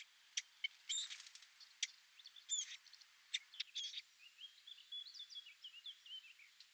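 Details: A Eurasian blackcap at its nest in a cherry-laurel hedge, where the parents feed hungry chicks, sings quick scratchy chatter and clicks, then a brief clear, fluty warble of rising and falling whistles.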